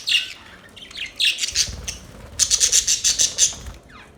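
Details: Budgerigar chirping: a few warbled scratchy notes, then a quick run of about eight sharp, evenly spaced high clicks or chirps, ending quietly.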